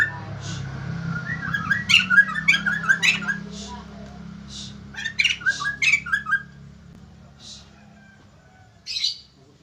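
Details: White-crested laughingthrush singing actively and drawing responses from other birds: two short clusters of harsh, cackling chatter separated by quieter gaps, over a steady low hum.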